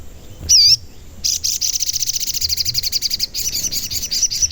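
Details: Crimson sunbird in steady song, played to lure and agitate other sunbirds. After a brief wavering whistle, a long fast stream of high, buzzy, pulsing notes runs continuously for over three seconds with only a momentary break.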